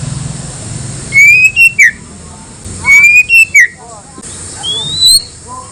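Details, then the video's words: Provoking song of a white-rumped shama meant to stir other shamas to answer: a rich whistled phrase of a steady note, a higher note and a dropping slur, repeated twice, then a rising whistle. "pancingan paling ampuh bakar emosi murai lain dijamin nyaut"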